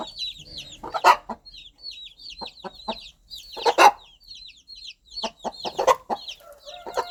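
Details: Hen gently calling her young chicks in the countryside: scattered low clucks in loose groups of two to four, separated by pauses, with continuous high-pitched, descending cheeps from the chicks.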